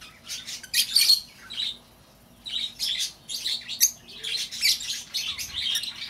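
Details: Lovebird calls to draw back an escaped bird; bursts of piercing, scratchy chirps separated by a short quiet spell, then resuming in a quick series.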